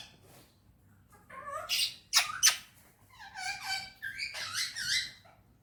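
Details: Parrot in a happy mood talking Urdu or Hindi: short voiced syllables, then two sharp raspy bursts near the two-second mark, followed by a longer run of tonal, word-like chattering phrases in a quiet room.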